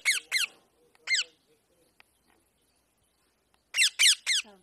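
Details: Indian parrot giving natural sounds while enjoying itself: a pair of harsh falling screeches, a single one a second later, then near silence with faint clicks, and finally three more rapid grating cries with a low trailing note.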